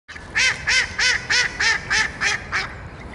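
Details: Swans at a pond in Dresden's Großer Garten park, begging for food, recorded on a compact camera: a steady series of eight nasal, honking notes, evenly spaced about three per second.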